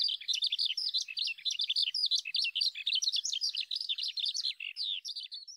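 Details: A male Eurasian skylark in song flight, rising almost vertically up to about 100 m and facing into the wind, pours out a fast, unbroken stream of high, rippling chirps and trills without pauses.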